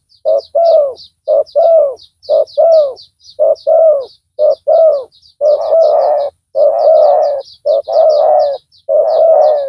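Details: Spotted dove used as a loud-voiced decoy to lure a rival, giving deep paired coos: a short note then a longer wavering one, repeated about once a second, while thin high chirps of small birds run steadily behind.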